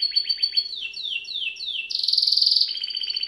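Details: Canary (Serinus canaria) training song: rapid short notes followed by four sweeping downward slurs, then a loud buzzy trill and a steady rolling trill.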